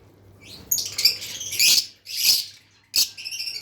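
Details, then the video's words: Lovebirds chirping: harsh, scratchy high chirps and squawks in short bursts of about half a second, separated by brief pauses, with a faint low hum beneath. "Lovebirds Chirping Sounds"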